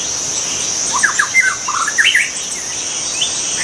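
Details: White-rumped shama in the wild delivering a quick run of rising and falling whistled notes in the middle of the recording, with a constant high-pitched insect buzz behind it.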